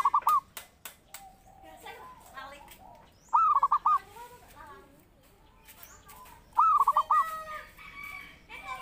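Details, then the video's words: Actively singing zebra dove used as a lure and master song for bird training: three rolling phrases roughly three seconds apart, each a sustained note followed by short bubbling coos, between busy chirping of other birds and clicks. "Pancingan Burung Perkutut Gacor"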